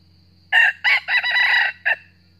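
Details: Wild red junglefowl in northern Vietnam crowing in a territorial challenge toward a trapped decoy bird; a loud, harsh, broken crow in four or five segments lasting about one and a half seconds, over a steady insect drone.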